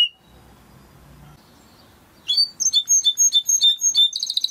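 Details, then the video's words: Timbrado canary song used to train canaries: about two seconds of near silence, then a series of short whistled notes repeated several times a second, ending in a brief fast trill. "Υour canary will sing UNSTOPPABLY"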